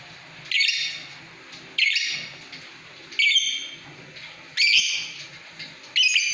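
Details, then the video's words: Lovebird uttering a series of five harsh, piercing, high-pitched screeching bursts, roughly one every second and a half, over a faint steady low background hum. "Love bird istimiwir"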